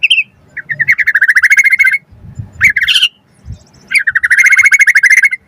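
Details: White-rumped shama bursting into song as a provoking lure and tutor recording: long, fast rattling trills of chirps, broken by a short rising phrase and a brief quiet spell with low rustling.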